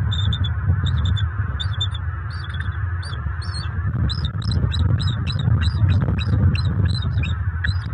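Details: Wild bald eagle pair at their nest in Fort Myers, Southwest Florida, just after dark on October 29, 2022, around mating; a run of high, thin chattering notes, about two per second, over a steady low rumble.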